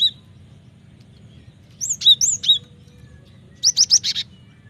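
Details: Cinereous tit singing strongly, meant to lure and train kept birds: a lone high note, then a three-note slurred whistled phrase, then a quick run of four sharp, high notes.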